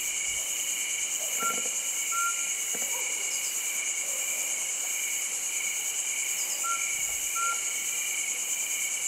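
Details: Mountain scops owl at Lansdowne, Uttarakhand, gives a paired, clear, mid-pitched whistle, twice about five seconds apart, over a loud, steady chorus of crickets.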